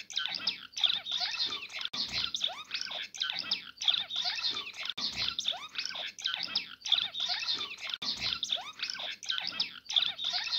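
Cut-throat finch singing a dense, buzzy chatter of quick high chirps and rattles. The same phrase repeats about every three seconds with no other sounds.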